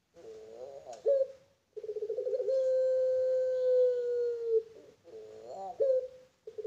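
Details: Barbary dove of the pelung type, a bird kept on a breeding farm, cooing: bubbly rising notes open into a long, steady, drawn-out low coo lasting about two seconds, then another bubbly phrase follows.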